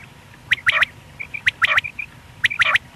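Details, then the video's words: Single male quail (batair) giving a sharp, liquid phrase of a few quick notes, repeated about once a second over faint background hiss; a call used in morning and night hunting. "Batair ki single awaz single male Quil beautiful sounds"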